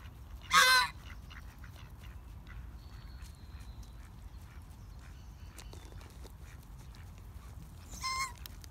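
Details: Muscovy ducks, said not to be hungry, give two short, loud, honking squawks, one at the start and a softer one near the end, over a low steady background rumble and a faint thin whistle.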